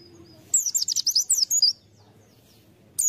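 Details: White-eye song used as a lure bird: a second-long burst of about ten very high, sharp twittering notes, then quiet, with another high chirp starting at the very end.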